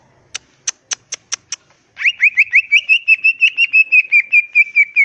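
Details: Greater green leafbird in lively full-isian ngentrok song: six sharp evenly spaced ticks, then a long fast series of slurred whistled notes repeated almost three times a second.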